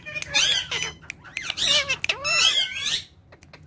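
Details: Ringneck parrots, three pets, voicing drawn-out raspy squawks with speech-like rising and falling tones over about three seconds, then quiet ticking.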